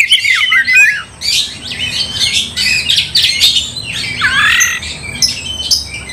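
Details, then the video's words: Oriental magpie-robin song used to goad another bird into fighting; a busy jumble of harsh chatters, warbles and short whistles, somewhat blurred by background noise. "gak mungkin gak nyaut Kacer gacor bikin kacer ngamuk"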